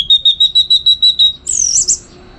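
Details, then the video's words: Orange-headed thrush, a contest-training bird from northern Bali: a rapid even string of about ten clear whistled notes, then a high buzzy twisting phrase. "Tingkat Tinggi Masteran ANIS MERAH Gacor Untuk Melatih Mental Burung Untuk Gantangan"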